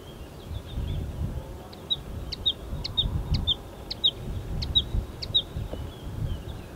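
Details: Marsh warbler (Acrocephalus palustris), recorded 15 May 2020. Its song mixes imitations of other European and African birds. Here about nine sharp clicks come quickly, each followed by a short high chirped note, roughly twice a second, over a low rumble.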